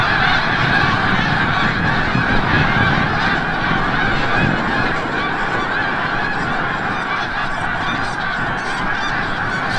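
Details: Large flock of snow geese returning from the bay at sunset, Forsythe National Wildlife Refuge, Oceanville, New Jersey: dense, overlapping nasal honks and yelps in a constant chorus.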